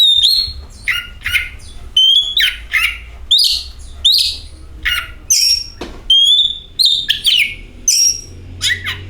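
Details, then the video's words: Oriental magpie-robin song used as a lure to make the bird sing: loud varied phrases of clear whistles, sliding notes and harsh bursts, delivered in quick separate snatches across the clip. "KACER AUTO GACOR, Suara Burung Penyejuk Hari, Pancingan Kacer"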